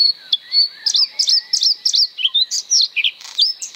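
A Bluethroat sings a fast, varied run of high, sharp chirps and ringing notes, several per second, with quick buzzy and metallic phrases woven in.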